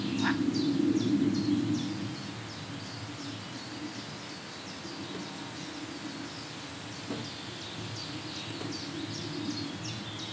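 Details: Green sandpiper at NSG Im Winkel, Lippetal, Germany, on 15 June 2017 at 14:25: a quick, steady series of thin, sharp high notes, several each second, fairly faint over a constant low rumble.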